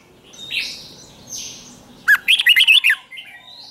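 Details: Lure song of a red-whiskered bulbul for attracting wild birds: faint distant calls first, then a loud, fast string of looping whistled notes lasting about a second.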